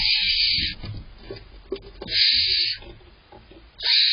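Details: Barn owl owlets in a nest box, in July, beg with rough hissing snores while awaiting prey from their parents, with low rustling and scuffling between the calls.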